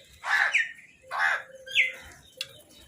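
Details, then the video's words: Food call of a crow amid birds fighting over food: three harsh, grating caws in quick succession, each short and hoarse, followed by a brief sharp click, other birds faintly audible. "Crow Food Call"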